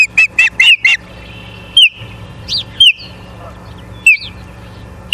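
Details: Ospreys at a nest in Charlo, Montana, on 14 September 2023 at 19:26. A quick burst of four sharp whistled chirps, then single clear down-slurred whistles spaced about a second apart over a faint low hum.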